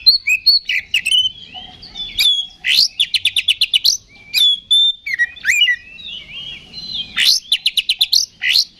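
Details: Oriental magpie-robin fighting-provocation song, bright and varied, mixing slurred whistles, rising sweeps and rapid runs of repeated chirps in quick succession.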